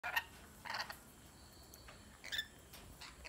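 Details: Lorikeets in an aviary give short, harsh, shrill screeches in scattered bursts about half a second apart. A faint, thin whistle sounds briefly between them.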